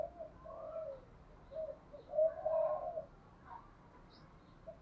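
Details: Spotted dove decoy cooing to lure and challenge wild doves; muffled low coos, one louder mid-clip, over a constant noisy background.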